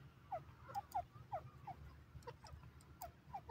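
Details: Dakhni teetar, the grey francolin: clear falling whistled notes given about every half second in a steady rhythm, with low background rumble.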